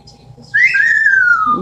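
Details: Female Amazon parrot kept as a pet, imitating noises: a loud whistle rising briefly, then a long slow downward glide, ending with a rough low burst.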